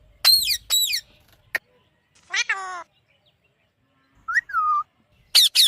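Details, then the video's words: Alexandrine (Alexander ringneck) parakeet giving loud, harsh squawks in pairs, plus a short rasping chatter and a drawn-out whistled note. "Alexander parrot natural sound"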